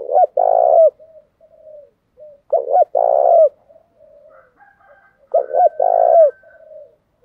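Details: Spotted dove kept as a caller bird, cooing to stimulate wild doves: three low phrases, each a stuttered note and a long drawn coo falling at the end, spaced about every three seconds, faint murmurs and a thin higher sound between.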